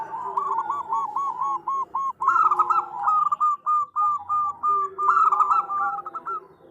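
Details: Female zebra dove calling the male, used as a lure: a long rhythmic series of mellow cooed notes, about three per second, with a fainter second dove softly accompanying at lower pitch.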